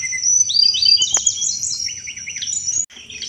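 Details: Sunda robin singing a lively cetrekan chatter, used to draw in thrushes; rapid high scratchy phrases and zigzag whistled trills, almost four notes a second, with a brief break near the end.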